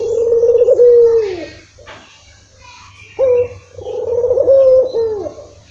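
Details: Puter, a Barbary dove, coos as a lure to get a dove that rarely calls to answer: one long even coo sliding down at its close, a pause, then a second drawn-out coo with small wavering bumps.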